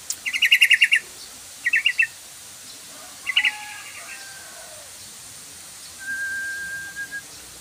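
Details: Lure sound for the trucukan (yellow-vented bulbul), used to make the bird sing quickly: rattling, buzzy trills in short bursts, followed by a long, steady whistled note and two brief chirps.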